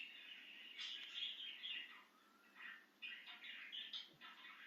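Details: Excited budgie out of its cage, chattering in a soft, rambling high warble heard over a steady background hiss, with a short pause midway.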